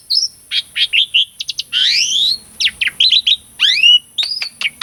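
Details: Asian pied starling lure song for silent cage birds: varied chirps, a long rising sweeping whistle, rapid note clusters and descending slurs, with a thin steady high hiss throughout.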